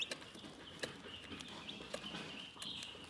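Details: Chickens chirping in a calm scene: continuous high, thin peeping from several birds, with frequent dry clicks and soft scratching.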